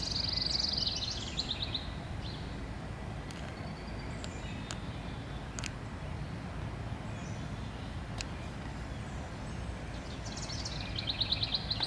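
A house wren gives two quick bursts of high, bubbling chatter, one at the start and one at the end, over a steady low rumble of distant traffic.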